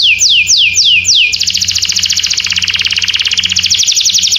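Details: Canary singing: a few high, sharply falling sweeps repeated about every quarter second, then a long, fast, even trill of rapid buzzy notes, with a faint low hum underneath.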